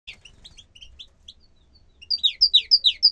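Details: Bukhara tit singing: after soft scattered chirps, a loud run of about eight sharp, descending two-part notes, repeated rapidly and evenly over the final second.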